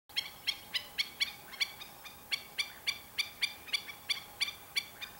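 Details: Black-winged stilts calling: sharp, nasal yelping notes rich in harmonics, repeated about three to four times per second in a steady series, with a low background hum.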